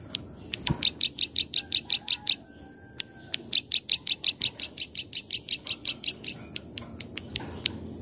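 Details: 'Klik-klik' song of a plain prinia, meant as a master recording to lure or train birds: two bursts of rapid, buzzy, ticking notes separated by a short pause and scattered clicks.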